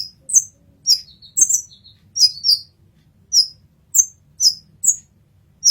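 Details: Olive-backed sunbird song used as a 'masteran'. Bright, very high chirps are spaced about half a second apart, with a couple of softer, slightly lower notes tucked in early on. Faint low hum.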